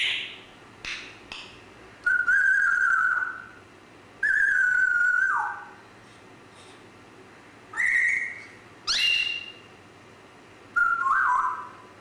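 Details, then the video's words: Series of grey parrot whistles over twelve seconds: flat sustained tones, one ending in a downward slide, plus higher sharp notes and a final falling whistle, with brief pauses between. "GRAY PARROT"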